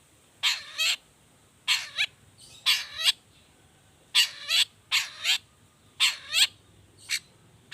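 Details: Long-tailed shrike in 'toet toet' variation song used as a lure: rasping paired notes, each pair with rising and falling harmonics, repeated roughly every second and a quarter, with a last shorter note, against a thin background hiss.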